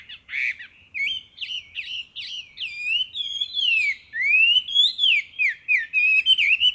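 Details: Chinese hwamei singing in a spring forest at Ikuta Ryokuchi, Kawasaki, Kanagawa, on 26 April 2026: loud, ringing whistled phrases, swooping up and down, repeated rapidly, notes sliding and slurred, with near-silent background.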